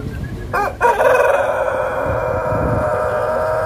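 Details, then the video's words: Pelung chicken rooster crowing at the first Pelung crowing contest in Banyumas, held at a durian agritourism site in Karangrau village, Indonesia; after a short opening the crow swells into a long, sustained, harmonic-rich drawn-out note that carries to the end. "Kontes Ayam Pelung Banyumas"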